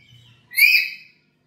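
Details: Single harsh squawk from a black-capped lory at home, recorded for luring and tutoring. The call is loud, layered and buzzy, about half a second long, after a faint low murmur.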